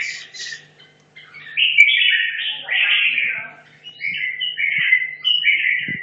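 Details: Caged red-whiskered bulbul from Hanoi, 2.5 years in captivity, training for competition; after two sharp opening notes and a pause, it pours out sweeping warbled phrases of rising and falling whistles, with a few clicks near the end.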